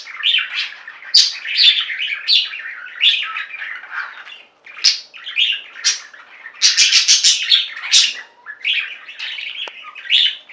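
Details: Flock of budgerigars in song, rapid chattering chirps and scratchy warbles, a short pause midway, then an intense run of loud, piercing chirps before the chatter settles again.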